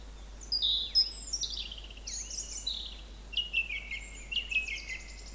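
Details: At Montbéliard, France, in February–March 2024, a song thrush sings high whistled and squeaky phrases, some sliding downward, then a quick repeated series of sharp notes, with constant low hiss behind.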